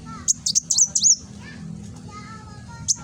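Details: Van Hasselt's sunbird, locally kolibri wulung, singing nembak in Gresik, East Java: a rapid run of about six high, piercing chirps ending in a slurred whistle, then quiet with faint lower bird notes and a final pair of chirps.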